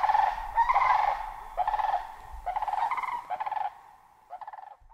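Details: Sandhill crane uttering a series of shorter rolling, rattling calls that gradually weaken, ending in a few faint, softer notes after a quiet stretch.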